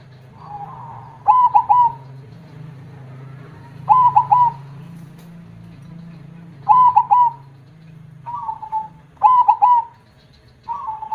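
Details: Big-voiced zebra dove singing steadily in the 'kong' style, giving a stuttering cooed phrase with a trailing hollow note about every two and a half seconds. Softer single coos fall between the phrases over a low background hum.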